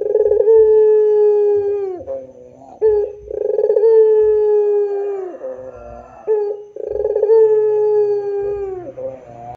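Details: Turtle dove (puter) giving the drawn-out pelung coo: three repeated phrases about three seconds apart, each a rolling start and then a long, full, slowly falling note with a brief softer dip between.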